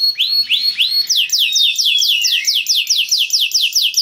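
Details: Canary song meant to raise breeding mood in other canaries so they join in: a few upswept whistles, then a long, fast series of clear, repeated downslurred notes.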